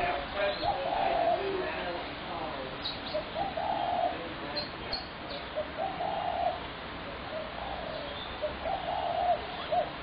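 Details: Spotted dove calling on 21 January 2017, mellow low coos repeated every two to three seconds, with brief high squeaks of other birds and constant background noise.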